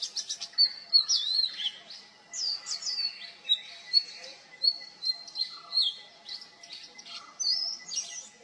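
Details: Oriental magpie-robin singing with vocal mimicry of other birds: varied whistled and slurred notes around mid-high pitch, short phrases repeated every half second or so, with a faint steady background hum.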